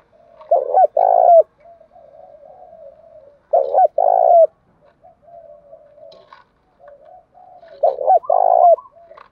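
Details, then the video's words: Fight-provoking calling coo of a spotted dove used to attract wild doves; three loud phrases of two short notes and a long falling coo, with low continuous soft cooing in between. "cu gay kich boi nhanh noi gù chuẩn gáy gọi+ Thúc Đấu , tiếng gáy hợp bổi giọng đồng gáy gọi"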